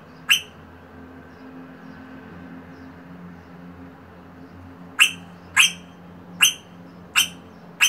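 A rosella gives sharp, bright single notes: one, a pause of several seconds, then five in quick succession about every two-thirds of a second, over a low steady hum.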